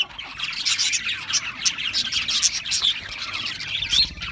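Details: Australian parrots twittering, giving irregular bright chirps and scratchy squawks from several birds, with small dips between louder bursts.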